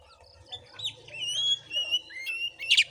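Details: Oriental magpie-robin at a house in Padang Gading, Bengkulu, Indonesia, in a fighting context: soft opening, then a rising, drawn-out clear whistle and a few slurred notes ending in a short harsh buzz.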